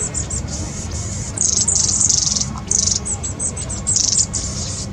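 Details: Long-tailed tits squabbling among their group on 26 April 2021 in a rapid run of very high, thin, buzzy notes, dense for about three seconds, over a low rumble of wind.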